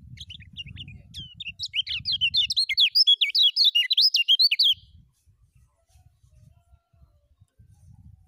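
A lemon-bellied white-eye sings a fast, high twittering run of sweet warbled notes for about four seconds, over a low background rumble.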